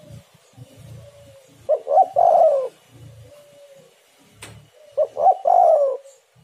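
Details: Tekukur or derkuku, the spotted dove, giving a lure call to prompt other doves to sing: two coo phrases about three seconds apart, short notes leading into a long sliding coo, one sharp click between them, low hum beneath.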